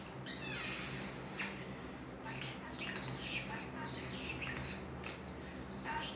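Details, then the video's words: Pet common starling vocalizing just to hear himself: sharp high whistles and rising squeaky notes early, then a run of varied chirps, clicks and warbled phrases over a steady low background hum. "Making noise just to hear himself"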